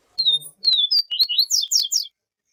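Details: Yellow-bellied seedeater of the siu siu song style, a teacher bird used for training alongside a calling female. One quick phrase: two drawn, level whistles, then a run of short rising, slurred notes, all high-pitched.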